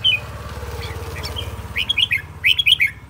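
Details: Red-whiskered bulbul kept as an aggressive decoy bird, singing: soft scattered notes at first, then two quick bursts of clear, looping whistled phrases near the end over low rumbling background.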